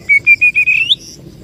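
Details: Oriental magpie-robin lure song for attracting birds: five short evenly spaced whistled notes at one pitch, then a quick rising slur ending higher.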